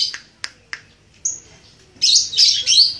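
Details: Red-headed lovebird rehearsing ngekek trills. A few crisp clicks and one thin whistle give way to three rapid, loud, rasping chatter bursts.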